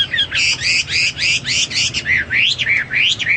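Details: Hwamei song, kept as a tutor recording for training pet birds: a fast run of loud, repeated rising-and-falling whistled notes, about three or four a second, ending in sharp upslurred phrases.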